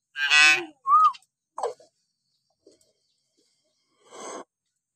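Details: Hill myna calls used as a training recording to prompt quiet mynas: a loud harsh, buzzy burst rich in overtones, then a short arched whistle, a brief nasal note and a fainter raspy call after a pause.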